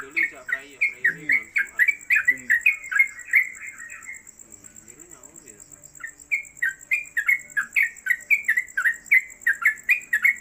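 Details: Sooty-headed Bulbul (trucuk), caged at home, singing a fast 'ropelan' song. Rapid run of sharp whistled notes, a brief lull with faint chatter, then another quick burst of repeated whistles.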